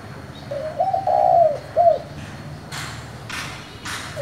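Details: Spotted dove calling in the 'giọng thổ' style to stir newly caught doves: a soft lead-in note, a longer warbling coo and a clipped final note, then a few dry knocking sounds.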